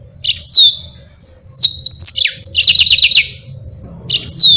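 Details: Yellow-fronted canary singing a long, lively song used to tutor other caged birds: a high downslurred whistle, then a burst of sharp descending notes and a rapid buzzy trill, another swooping whistle at the end, low hum beneath.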